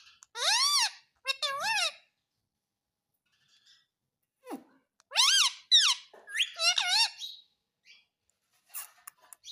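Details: Pet parrot mimicking the word "mummy" in a quiet room: two high, bending word-like syllables, a pause, then a livelier cluster of repeated wavering syllables and a few clicks.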